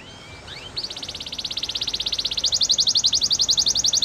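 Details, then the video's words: Canary training song for teaching canaries to sing: a few faint rising notes, then a fast, even, pulsed trill that jumps to a higher pitch midway and carries on at a brisk steady rhythm. "Make your canary singing everyday"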